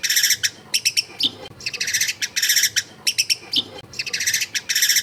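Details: Long-tailed shrike singing hard and screeching, recorded in a crowded residential neighbourhood: loud, harsh, rattling bursts repeated in quick runs, with short pauses between groups.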